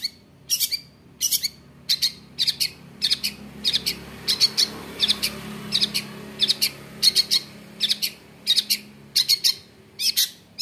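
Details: Long-tailed shrike in full song, used to provoke other shrikes into singing and fighting. Short, harsh, high notes repeat about twice a second over a steady low hum of background noise.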